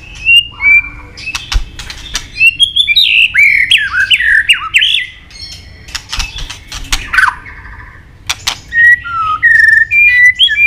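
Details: White-rumped shama singing a varied training song: whistled notes, a run of bouncing slurred phrases, clicks and chatter, then spaced clear whistles at different pitches.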